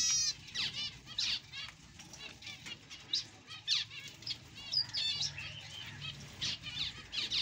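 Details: Zebra finch chicks, newborn, give a rapid stream of thin, high, buzzy descending squeaks in clustered bursts, nearly continuous, with faint rustling underneath.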